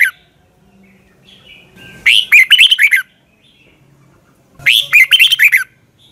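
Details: A red-whiskered bulbul delivers morning song used to train birds. Two energetic phrases of rapid, falling whistles, each about a second long and spaced about two and a half seconds apart, follow a faint opening note.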